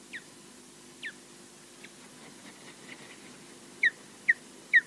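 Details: Female osprey at the Loch Garten nest in Scotland, on a live nest camera, defending the nest alone against a distant intruder; short, sharp, downslurred whistled yelps, sparse at first then three louder ones close together near the end.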